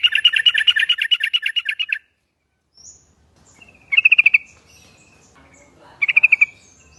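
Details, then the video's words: Yellow-vented Bulbul lure call used to draw answering birds: a two-second stream of loud, rapid, liquid chattering notes, silence, then two shorter bubbling bursts a couple of seconds apart. "Trucuk bakan ikut bunyi kalo denger trucuk yang satu ini ‼ Trucukan ombyokan auto nyaut"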